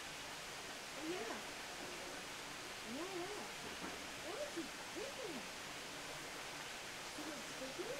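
Limpkin giving faint, wailing calls that rise then drop, in loose overlapping bursts every second or two, over a steady broadband hiss.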